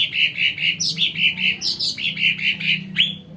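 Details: Sumatran cucak ranting song meant as a lure for wild birds, a steady string of rich chirped notes about four per second, with a few higher upswept notes between.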